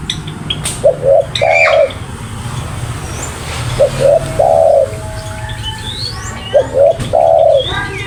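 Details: A spotted dove repeats its coo phrase three times, roughly every three seconds. Each phrase has two quick notes leading into a longer sustained coo. Other birds chirp and whistle in the background.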